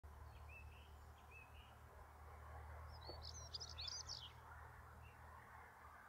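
A European Stonechat gives a short, scratchy, twittering song phrase of high, jumbled notes, with a few softer chirps before it, over a steady low rumble of background noise.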